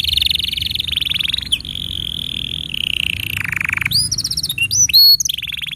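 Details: Canary singing a tutor song for young canaries and ones that fell silent: long even buzzy trills stepping down in pitch, then quick upswept whistles and a bright chiming note before another trill.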